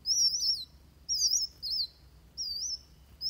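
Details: Van Hasselt's sunbird fighting song, used as a tutor recording for training birds: high, thin, wavering whistled phrases about half a second long, repeated roughly every second with short pauses.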